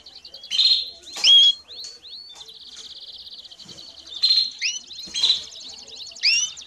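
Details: Canary singing and calling as training for young birds: a steady rolling high trill carrying through, punctuated by loud sweeping whistles and bright chip notes repeated at intervals of about a second.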